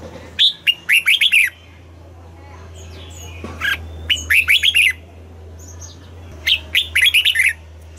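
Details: Red-whiskered bulbul in morning voice training, pushed to sing the double-note style. Three bursts of lively whistled notes rise and drop quickly, several notes in each burst, separated by short pauses, over a low background hum.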